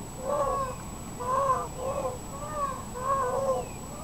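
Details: Indian peafowl calling: a series of six short, nasal, mewing honks repeated roughly every half second, with a steady faint electronic whine behind.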